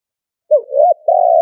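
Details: Spotted dove kept as a decoy, cooing in stuttering style: a rounded dipping note runs into a second arched coo, then a steady prolonged hollow tone.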